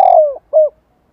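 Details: Spotted dove, a decoy singing to provoke other birds to answer: the tail of a long, low, descending coo, then a short steady coo, then silence.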